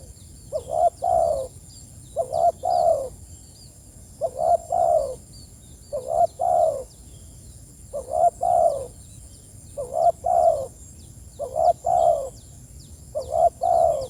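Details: Spotted dove calling its companions with a steady series of eight paired coos, a brief lead note then a fuller falling croo, spaced about every 1.7 seconds, over faint high-pitched chirping.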